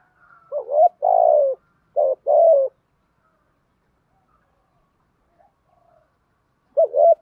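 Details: Spotted dove used as a decoy, delivering the 'thúc gù' coo: a stuttered double note, a long wavering coo, then two more hooted notes, silence for four seconds, and a fresh start of the phrase.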